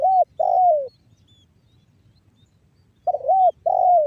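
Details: Lure recording of a spotted dove in 'banggo bocor' style, northern Cirebon, West Java, meant to prompt other doves to sing: mellow hooked coo and a drawn-out descending coo, two phrases with a gap between.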